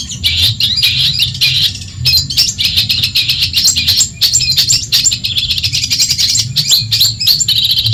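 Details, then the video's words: Long-tailed shrike from Madura, a training recording meant to teach other songbirds and provoke rivals: dense, fast chattering song of harsh buzzy notes and sharp high chips in near-continuous bursts, over a steady low hum. "Masteran burung cendet Madura asli . Bikin emosi lawan"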